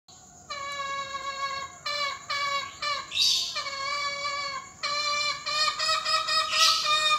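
Green junglefowl crowing: hoarse, nasal notes in quick, overlapping bursts of about a second each, with a few sharp, hissy rasps between them.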